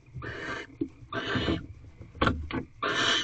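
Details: Barn owls mating inside a nest box, 5:40 am, 7 March 2023: long harsh hissing screeches interrupted by sharp clicks and scuffling knocks, uneven in rhythm, with low thumps beneath.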